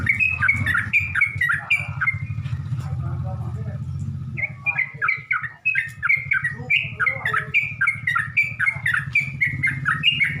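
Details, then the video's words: Yellow-vented bulbul lure song to draw out other bulbuls: chattering, bubbly phrases repeated rapidly with a short lull, over a steady low rumbling background hum. "Burung trucuk manapun gak bakal diam kalo dengar pancingan ini"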